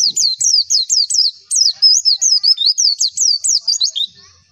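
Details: White-eye (pleci) tutor song meant to trigger replies from other white-eyes: a lively run of rapid, high, looping chirps, varying slightly in shape, trailing off after four seconds.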